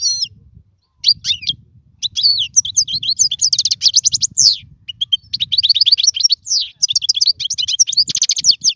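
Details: Caged solo European goldfinch delivering tutor song for young birds; long flowing stretches of rapid liquid twitters and buzzy trills with downward slurs, nearly unbroken over several seconds.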